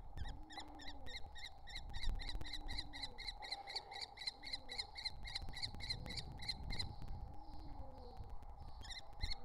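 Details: Three wild common kestrel nestlings at a nest entrance give a rapid series of short, harsh, clicking notes, about three each second, over a steady low hum and background rumble.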